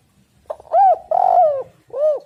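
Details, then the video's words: Tekukur or spotted dove calling to lure wild doves: a brief clipped note, an arched hollow coo, a long throbbing middle coo sliding down, then a final rounded coo, close and clear. "tekukur super gacor suara prangsang untuk burung"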